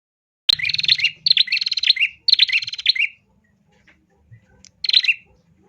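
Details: Female bar-winged prinia calling, used to prompt males into singing: four bursts of loud, buzzy, rapidly repeated chirps with rising and falling notes, each burst under a second, separated by short pauses, faint low hum beneath.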